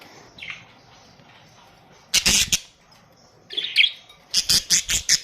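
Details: Budgerigars from Australia kept in a colony: after a quiet start, loud scratchy bursts, then a series of five or six short sharp chirps in quick rhythm near the end.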